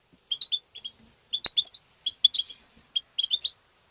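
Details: European goldfinch tabta singing, played to stimulate goldfinches: crisp, bright chirps and twitters in quick clusters, broken by one sharp click partway through.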